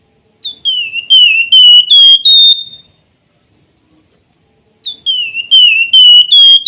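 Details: Flamboyan in active song with whistled fluting phrases: a falling, slurred whistle followed by several loud, clear, even notes, the phrase repeated after a silent pause of about two seconds.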